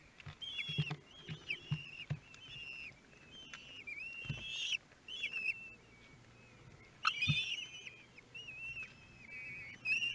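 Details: Begging kestrel nestlings on their thirteenth day, fed at the Théding nest, France, 5 June 2022: uneven bursts of shrill, wobbling whistles and squeals, interrupted by loud knocks and scuffling sounds.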